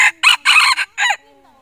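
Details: A loud rooster crow breaks into harsh, broken syllables, a short opening note followed by a long strained middle and a falling end, all within about one second. A faint hum follows.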